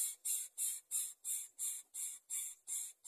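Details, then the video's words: Greater coucal chicks trying to bite the food their mother brings: a steady run of harsh, hissing bursts, about three a second, each short and breathy, with no other clear sounds. "Greater coucalBirds try to bite the food that the mother brings to eat"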